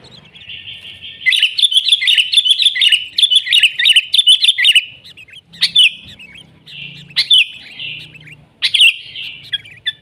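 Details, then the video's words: Natural-recorded sooty-headed bulbul in full gacor song, nggaruda style. A long, dense run of high twittering notes gives way to spaced sharp chirps and short phrases, over a faint low hum. "Suara Burung Kutilang Gacor ASLI ALAM lanjut NGGARUDA"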